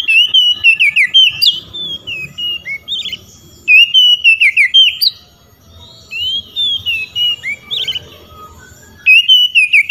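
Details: Oriental magpie-robin in loud, open song challenging rivals, which reply. Quick runs of clear, warbling whistles rise and fall, broken by brief gaps and quieter answering whistles before the loud phrases return.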